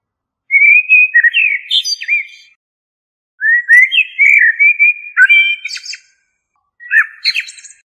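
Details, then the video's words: A common blackbird (Turdus merula) sings three unhurried phrases, each a mellow fluted warble ending in a thin, squeaky twitter, separated by pauses of a second or more. "تغريد طائر الشحرور ( جحمومية - الزرياب ) Turdus merula"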